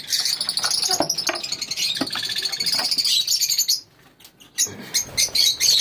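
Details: Lovebirds in a colony give dense, shrill chattering calls high in pitch, a continuous overlapping chorus of squeaks and chirps that breaks off briefly near the end before resuming.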